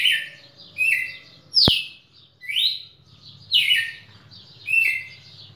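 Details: Red-cowled cardinal in Pernambuco, Brazil, recorded 10 December 2017, singing loud clear whistled phrases, each slurred and partly rising or falling, repeated about once a second, with one sharp click in between.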